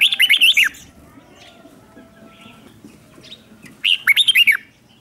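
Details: Red-whiskered bulbul used as a lure to draw in wild birds: two phrases of fast, chattering whistled notes with downward sweeps, separated by a few seconds of faint chirps.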